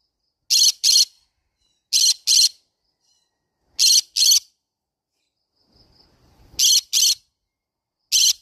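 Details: Green-cheeked conure calling in a steady run of loud, grating paired shrieks, five doubled bursts spaced roughly every one and a half seconds, separated by near silence.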